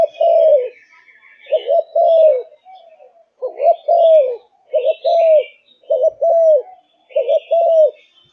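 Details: Spotted dove of Malaysian line, caged and in full voice: a run of low coo phrases, each a quick doubled note ending in a longer descending hoot, with light twittering of small birds in the background.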